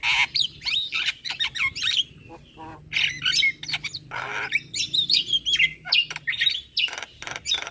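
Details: Played in the morning so young birds can learn, an Asian pied starling sings a dense medley of squeaky whistles, harsh rasps and quick chattering notes.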